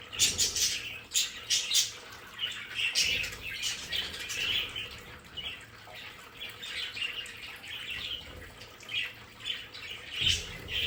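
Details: A group of pet budgerigars in their play area keeps up steady, busy warbling: twittering, buzzy chirps and short squeaks overlapping throughout, with a couple of soft low bumps near the start and end.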